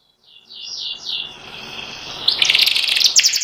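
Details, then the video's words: White panda canary singing softer rising slurred whistles, then breaking into a louder, fast, chattering ngeriwik trill. "burung kenari putih panda ngeriwik"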